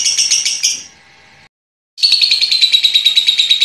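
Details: Paud lovebird ngekek chatter in two parts separated by a short silence, each a rapid pulsing run of shrill high chirps.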